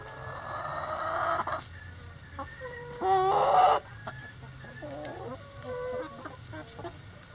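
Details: Backyard chickens at their daily activities, with a long harsh drawn-out call at the start, a loud wavering squawk around three seconds, and scattered soft clucks and murmurs afterward.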